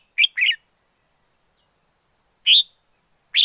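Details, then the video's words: Wild red-whiskered bulbul giving two quick bright chirps, a pause, then a louder ringing note, over a faint high-pitched whine. "Chào mào rừng hót hay nhất 2020"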